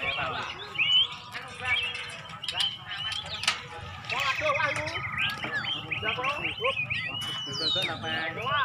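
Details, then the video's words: White-rumped shama (murai batu) in a fierce singing-contest duel, Nias bird versus Bahorok bird, Medan, singing tembakan material: dense, continuous run of rich varied whistles, sharp rising and falling notes and rapid trills, with faint voices underneath. "lomba burung kelas murai batu DUEL sengit M.B NIAS VS M.B BAHOROK materi tembakan"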